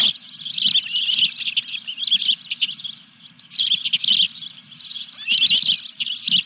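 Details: Osprey calling at its nest as a fish is brought in, evening of 14 July 2021; bursts of shrill, piercing chirps run for about a second each, separated by quieter gaps.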